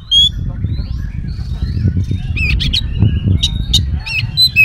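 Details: White-rumped shama in full song used as a lure to make other shamas answer, packed with fill-in phrases: looping whistles, sharp buzzy bursts and high chips around two seconds onward, over a steady low rumbling background.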